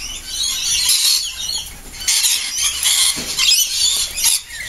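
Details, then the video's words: Flock of lorikeets in a daily morning frenzy lasting about ten minutes before flying off to feed on flower nectar: dense, shrill screeching, with many harsh, high squeals overlapping in constant, noisy bursts. "Lorikeet frenzy"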